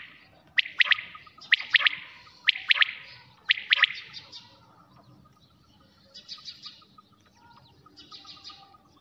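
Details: At night a quail repeats crisp triple-note calls about once a second, four phrases in a row, then fainter high chirps fill the remaining seconds.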